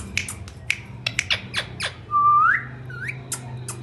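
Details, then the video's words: Indian ringneck parakeet, a talking parrot, makes scattered dry clicks, then one clear rising whistle lasting about half a second, a shorter whistle after it, and a few more ticks over steady hum. "Talking parrots real voice ringneck"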